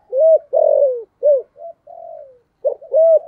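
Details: Spotted dove in the 'giọng thổ' voice style, calling to lure wild doves: a phrase of low, mellow coos, short and long notes alternating, one drawn-out falling coo mid-phrase, in quiet surroundings.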